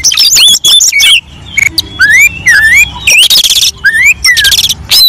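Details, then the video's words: Lure recording of an Oriental magpie-robin (kacer) in full song, used to prompt other males to sing: a loud, varied medley of clear slurred whistles, some rising, broken by harsh buzzy bursts and quick chattering notes. "Suara pikat KACER gacor kombinasi"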